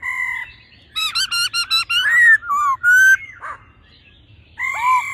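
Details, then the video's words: Laughingthrush pair, female calling and male singing in a wild, mature voice: a quick series of sharp stacked notes, then slurred whistles and a buzzy note, a pause, and a final bright whistled phrase. "khướu mái ro +trống hót giọng già rừng"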